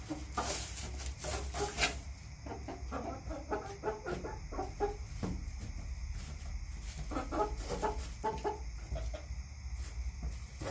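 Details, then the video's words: Hens in a home backyard flock cluck steadily throughout, with short choppy notes repeated in loose bursts and a louder flurry near the start, over a low steady drone. "CHICKENS CLUCKING"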